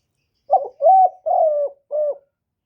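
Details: Spotted dove decoy call used to lure wild doves: four low, mellow coos, the first short and wavering, the next two longer and steady, a shorter final note, with clean silence around them.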